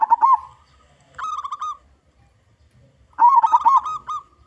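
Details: Local Indonesian zebra dove (perkutut), a frequent singer with a big voice, sung as a lure for all kinds of zebra doves: bursts of quick stuttering notes, then rolling, wavering coos, with clear pauses between phrases.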